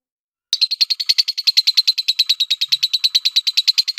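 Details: Lovebird producing a steady series of sharp, high chirps, about eight per second, starting abruptly after half a second of silence and continuing evenly in a clean recording.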